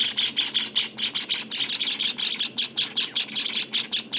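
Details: Shrill, rasping chirps pour from day-19 Java finch nestlings, pulsed regularly at a little under three per second throughout.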